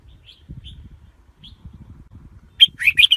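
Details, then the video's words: Red-whiskered bulbul calling with a few faint, thin notes, then bursting into a loud rapid warbled phrase at the end, over low rumbling and knocking noises. "Tiếng chim chào mào"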